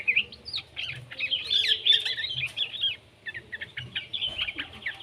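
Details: Juvenile yellow-vented bulbul singing as a lure to prompt other bulbuls: a continuous busy run of high, scratchy twittering notes that thins into shorter clipped chirps toward the end.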